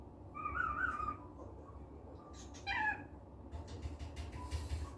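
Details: Cockatiel in a cheerful mood, kept as a pet indoors, giving a wavering whistled call, then a short harsher descending note, followed by scratchy rustling sounds and a faint low hum.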